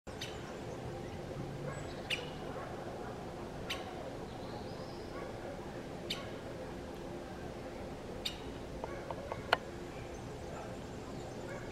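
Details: A Syrian woodpecker (Dendrocopos syriacus), recorded 20 June 2019, gives single sharp, clipped 'kik' notes spaced irregularly every one to three seconds over a steady low rumble of background noise.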